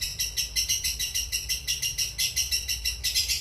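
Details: Ngekek chatter of a cobalt mangsi lovebird, used as a master recording for other birds: a run of sharp high pulsed bursts, about three per second, metallic and insistent.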